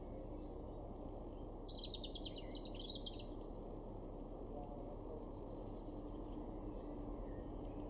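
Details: European robin in a garden in Weener, East Frisia, northwest Germany, May 2021, gives one brief, high, twittering song phrase of quick thin notes, then falls quiet, over a steady low rumble.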